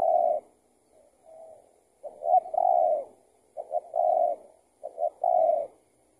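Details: Spotted dove calling during a trapping session with a decoy; the bird turned out to be an escaped tethered bird. Soft low coos, then two phrases of two short notes leading into a long, slightly falling coo.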